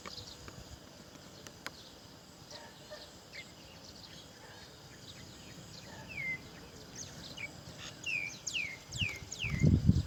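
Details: Roller chick being fed black crickets by its mother; a run of sharp, downward-sweeping chirps comes in quick succession in the second half, with low rustling and outdoor background noise underneath.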